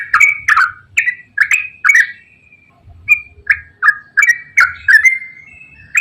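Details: Yellow-vented bulbul in long chattering song: bursts of bubbly, slurred notes, a brief pause near the middle, then more quick phrases ending in a thin drawn-out note.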